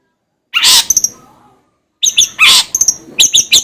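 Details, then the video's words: Long-tailed shrike, used for training cage birds: two bursts of harsh, grating notes mixed with quick high chirps, separated by a short silence. "suara masteran BURUNG CENDet /pentet agar cepat gacor"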